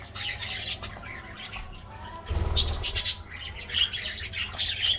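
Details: Aviary budgerigars, a colourful flock receiving their morning treat; dense chirping and squawky chatter, busy and irregular, with a brief burst of flapping wings midway and a constant low hum.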